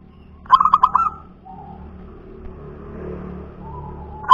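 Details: Zebra dove of local wild stock (perkutut lokal), described as a punden bird, giving one quick stuttering run of bubbly coos ending in a drawn-out low note, with faint traffic-like rumble behind.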